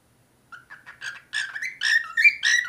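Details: Cockatiel song: a string of whistled, chirpy notes that start soft and grow louder, with rising and falling tones in quick succession over under three seconds.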